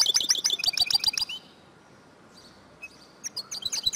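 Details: Female European goldfinch voice meant to stir males into song: a fast burst of high twittering chirps, a pause with a faint note, then the rapid twitter resumes.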